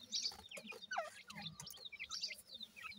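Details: One-week-old Grey francolin (dakhni teetar) chicks giving sharp, high cheeping notes and quick falling chirps from several birds at once, with faint low chatter and clicks behind.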